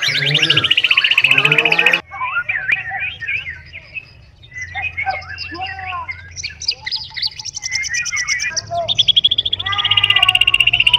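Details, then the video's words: Kept white-rumped shama singing tembakan bursts: fast, piercing repeated chips open and close the clip, with scattered varied whistles and chattering phrases in between and a low hum underneath. "Tembakan Murai Batu"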